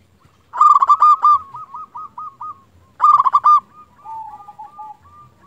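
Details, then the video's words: Zebra dove from local stock, kept as a lure for drawing answering calls, gives two loud stuttering coo bursts, each sliding into a softer string of trilled notes. "Perkutut lokal gacor Raja pikat ini ahlinya bikin burung perkutut lain gacor nyaut"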